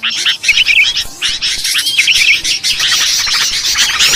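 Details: Sooty-headed bulbuls in a noisy lure recording for bird trapping chatter with bright bubbling notes tumbling over one another almost without pause, as if several birds call at once.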